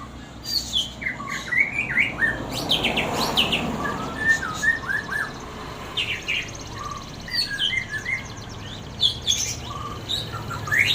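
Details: White-rumped shama during a mental test, a session checking the bird's nerve. It gives varied clear whistles, short rising and falling notes in loose bursts, over steady background noise and a man's voice nearby.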